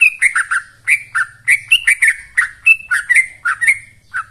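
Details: Yellow-vented bulbul; song; lure to stimulate kept birds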